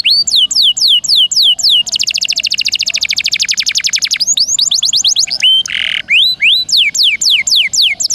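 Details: Canary in full, rolling song, used as tutor material for white-rumped shamas. Loud, high, sweeping notes repeated several times a second give way to a fast, dense roll, then a brief buzzy burst and more rapid down-slurred sweeps.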